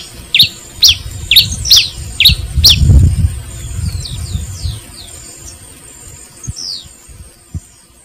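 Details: Pileated finch song: a run of sharp, high downslurred chips repeated about twice a second, then fainter scattered notes, over low rumbling wind or handling noise.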